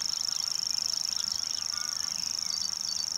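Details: Common grasshopper warbler singing: a continuous, even, high-pitched insect-like reel of rapid ticking pulses, unbroken throughout, with softer chirps and calls from other birds underneath.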